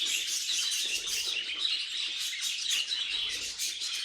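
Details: Loud, continuous budgerigar warbling from pet birds, a dense mix of squeaky chirps and chattering trills.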